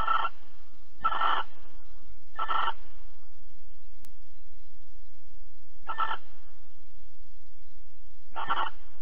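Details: During mating and cuddling in Alphen on the evening of 22 April 2020 (21:37), a barn owl gives five short, noisy, breathy bursts at uneven intervals of roughly one to three seconds, over a low electrical-sounding hum.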